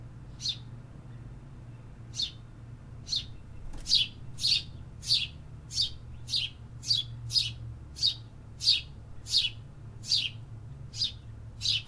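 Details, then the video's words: City birds singing in an urban setting: sharp high chirps repeated roughly every half second to second, steady and evenly spaced, over a low constant traffic-like hum. "Urban Birds Sound Effects -- Hear the activity"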